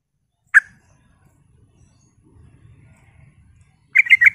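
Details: A single sharp note from a sooty-headed bulbul on a lure recording used to rile up rival bulbuls. After a pause with soft low rumbling, a quick bubbly three-part phrase follows.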